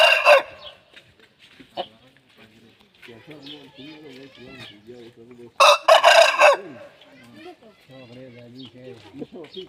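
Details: Aseel rooster crowing and singing for a hen. Two loud, harsh, ragged crows, one at the start and one midway. Between them come soft, repeated low clucking notes that run in rhythmic series.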